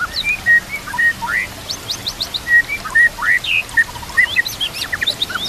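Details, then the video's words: White-rumped shama song for training shamas. Clear flat whistles and short slurred notes come in loose phrases, mixed with thin high upstrokes, over a steady hiss. "Putar Suara ini Setiap Pagi dan Sore, Agar murai batu makin Fighter"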